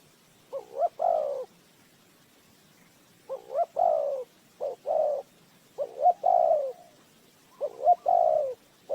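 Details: Spotted dove kept as a decoy bird to lure wild doves into a trap, giving clear two-part coos, a short rising double note then a longer falling coo, repeated in four phrases over quiet background.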